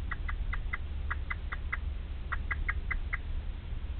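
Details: Male Eurasian blackbird bringing food to the nest for the first time, calling for chicks that have not yet hatched and do not answer; short clipped notes in two quick runs of about six and five, over a steady low hum.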